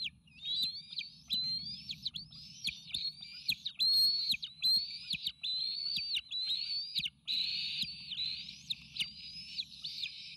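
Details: Excited bald eagle triplets, eaglets near fledging, begging at the Sauces nest as food is brought, eagle cam, May 29 2018. Rapid series of high, arching whistled squeals, slightly over one per second, interspersed with sharp clicks and taps.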